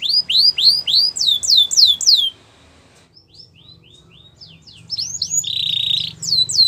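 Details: Belgian canary song meant to set other canaries singing: a run of quick downward-swept whistles, a brief near-silent pause, then softer sweeps and a steady buzzy trill, faint low hum beneath.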